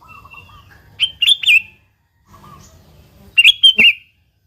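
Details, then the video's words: Sooty-headed bulbul (kutilang) singing in the vigorous gacor style, used as a lure to get other bulbuls singing: two bright, bubbly phrases of four or five quick liquid notes, about two seconds apart, over a faint low hum. "Suara Burung Kutilang Gacor ASLI Tanpa isian,Ampuh tuk pancingan Kutilang bikin kutilang Ribut gacor"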